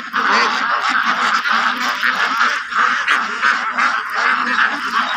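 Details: A farm flock of white Pekin ducks makes an unbroken din of rasping, overlapping quacks. Many birds call at once, with no pauses between calls.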